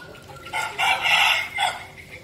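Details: Crowing decoy red junglefowl from Vietnam's Bình Phước province: a sharp first note, a drawn-out raspy central phrase, and a short final note, clear and close against a quiet background.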